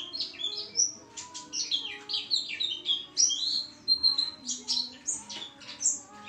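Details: Lively white-eye chatter sustained for several seconds: rapid, high-pitched warbling notes that sweep up and down in quick succession, nearly continuous, over a soft steady background hum.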